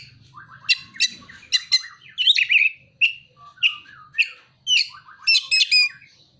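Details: Oriental magpie-robin delivering ciblek and kolibri imitations: series of quick sharp chirps and short twittery notes, some with scratchy slurs, spaced roughly half a second apart, with faint low background murmur.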